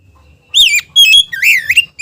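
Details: Short burst of white-rumped shama song, said to provoke other shamas: a falling slurred whistle, a steady whistled note, then a deep swooping warble, loud and clear.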